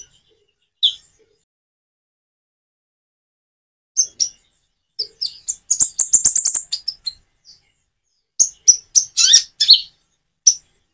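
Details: Common iora chirping song with natural pauses, meant to coax reluctant birds into replying: scattered thin high notes, then a dense rapid run of twittering chirps, a pause, and another lively burst.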